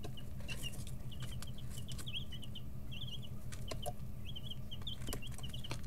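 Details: Several 11-13-day-old chicks kept in a brooder, pecking and stretching as feathers grow in; continuous chains of brief high peeps, some slightly trilled, with pecking taps and a low background hum.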